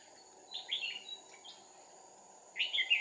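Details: Decoy red-whiskered bulbul singing its fighting song while trapping a wild bird, 2 April 2019: a soft warbled phrase, a faint note, then a louder chattering whistled burst, set against continuous insect hum.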